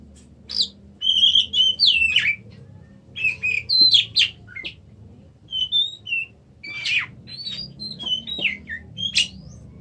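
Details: Varied song of an Oriental magpie-robin: clusters of bright whistles, chips and downslurred notes delivered in quick bursts with short gaps, fairly loud against a faint low hum.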